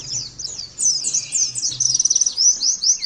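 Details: Oriental white-eye (pleci) singing for training other birds to copy, in the fast "nembak" style: very high, rapid twittering of thin, sliding notes and short trills that runs almost without pause, over a faint low hum.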